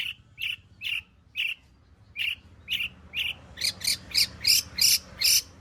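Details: Long-tailed shrike, a lure recording to draw out singing, with its song full of fill-in material. Evenly spaced rasping chirps lead into a faster run of louder, broader, harsher notes.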